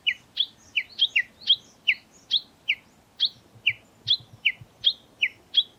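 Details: Japanese bush warbler in tani-watari, the valley-crossing call: bright, clipped double notes repeated briskly and evenly, roughly three per second, with faint low rustling beneath.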